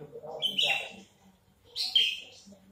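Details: Two harsh, buzzy high chirps from a caged, big-bodied crested Horsfield's bush lark, with a brief quiet gap between them.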